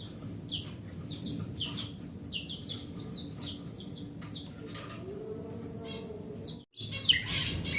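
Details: Forest oriental magpie-robin singing, used as a lure to prompt a silent magpie-robin to sing: short bright whistled phrases at a brisk pace over a steady low hum, ending in a louder burst of noise.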